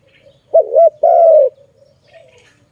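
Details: Zebra dove utters a single phrase of two short bouncing coos and one sustained, slightly falling coo, with faint cooing from another dove after it.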